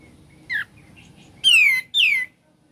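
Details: Ngebren-style song of a sooty-headed bulbul: a short soft whistle, then two strong, ringing notes that sweep down steeply, given in quick succession against a quiet background.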